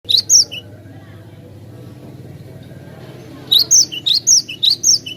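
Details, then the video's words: Cinereous tit song used as a lure: a short burst of sharp, high rising-and-falling whistled notes, then a quiet gap with low background hum, then a run of about six quick repeated paired notes. "suara merdu burung Glatik Batu Pas banget buat pancingan"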